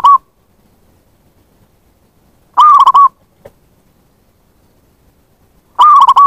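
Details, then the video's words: Zebra dove calling to draw in wild doves, its loud trilled cooing phrases of rapid wavering notes repeating about every three seconds with quiet gaps between. "Pancingan bunyi + pemanggil perkutut liar"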